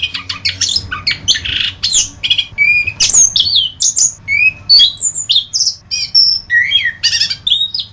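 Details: Continuous varied song of an orange-headed thrush on a masteran recording: quick chattery notes at first, then clear whistled slurs and high trilled phrases about every half second.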